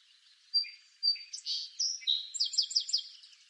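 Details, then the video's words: Song sparrow (Melospiza melodia) in eastern North America sings two clear introductory notes, then a jumbled buzzy middle and a fast run of trilled, descending notes, all high-pitched. "Song Sparrow Bird Song"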